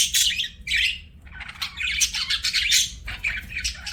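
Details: Chirping budgerigar giving buzzy, squeaky warble phrases with rising and falling chirps, separated by short gaps of about half a second.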